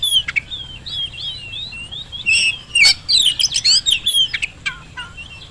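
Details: Lure recording of Oriental magpie-robin song to make quiet birds answer: a continuous stream of varied sliding whistles, rising and falling, with a dense burst of rapid chattering and scratchy notes in the middle.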